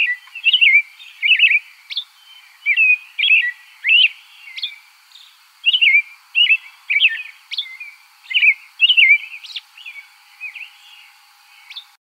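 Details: American robin singing warbled, caroling phrases of two to four slurred notes, each phrase followed by a brief pause, repeated steadily over twelve seconds against a faint, steady high-pitched hum.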